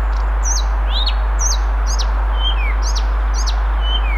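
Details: Blyth's reed warbler in Moscow, Russia, on June 1, 2021, singing variably: sharp high clicks, hooked whistles and short downslurred notes repeated roughly once a second, with steady low-frequency hum beneath.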